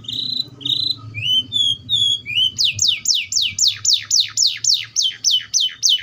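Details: Atlantic canary song opening with steady whistled notes and short upward slurs, then switching to a fast, even trill of repeated downward-sweeping notes, about four per second.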